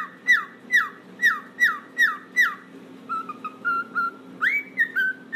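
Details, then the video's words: Pet cockatiel whistling a series of descending notes, about six in quick succession, then warbling varied short whistles with a rising slur; a low steady hum runs underneath. "cockatiel bird singing and talking"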